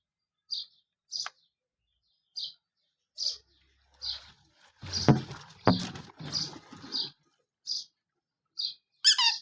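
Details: Baby chicks, colour-dyed and kept indoors under heat, chirping. High thin peeps come singly about every second, with a burst of rustling and bumping in the middle and a final cluster of shrill cheeps.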